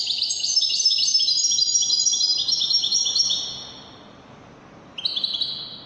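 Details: European goldfinch, Wedani style from Morocco: about three seconds of rapid, layered high twittering, a quiet gap, then a short renewed burst of clear trilled notes.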